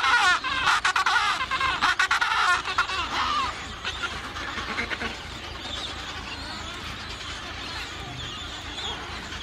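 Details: Adélie penguins at a breeding colony of about 150,000 pairs on Paulet Island, Antarctica, 1 February 2019: dense, overlapping harsh braying calls fill the first three seconds, then fade to quieter scattered squawks and chatter over steady background noise.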